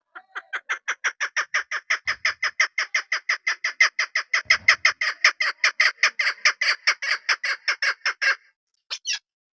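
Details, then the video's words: Female chukar partridge, a local hen kept as a hunting decoy bird, giving a long run of rapid, evenly spaced harsh clucking notes, about five per second, ending abruptly, then one brief note. "desi made ki khobsort awaz .. sound of keklik..sawt shakra.. ses sound..pahri madi.. shikari madi."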